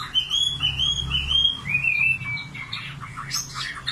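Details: A common nightingale gives a series of smooth, repeated whistled notes, then scattered sharper chips, against a low humming background.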